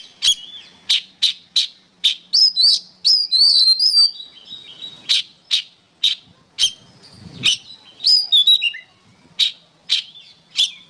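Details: Song of an oriental magpie-robin, known locally as kacer, recorded as tutoring material for cage songbirds: sharp loud chips repeated roughly every half second, broken by a mid-clip run of high sliding whistles and twitters.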